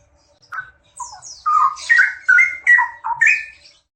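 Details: Pair of straw-headed bulbuls singing vigorously, opening with a few soft, scattered notes before building into a run of loud, full-throated, rolling warbled phrases that dip and rise in pitch.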